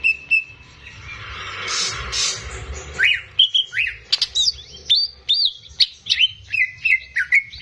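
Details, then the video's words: Greater green leafbird (cucak ijo) kept as a singing tutor for young birds; after a hissing noisy start, a fast run of clear whistled notes sweeping up and down, repeated several times a second. "CUCAK IJO GACOR"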